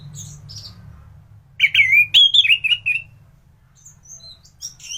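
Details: Orange-headed thrush delivering lively 'gacoran' song meant for tutoring other thrushes: faint high notes, then a loud fast run of sweet whistled notes falling gently, followed by scattered thin high chips and a background hum.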